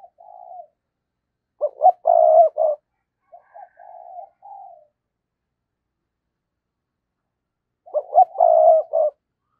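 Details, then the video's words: Decoy spotted dove alternates thúc and gáy calls to lure wild doves. Loud, rough, pulsed coo bursts alternate with softer mellow hoots, and the loud phrase returns after a quiet gap. "tiếng cu gáy - Chim Cu Mồi Thúc Và Gáy Gọi"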